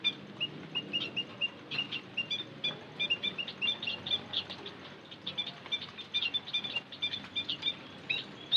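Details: White-headed munia lure call: a steady stream of short, thin, high chirps and peeps, some run together in quick twittering bursts, repeating throughout against a faint low background hiss.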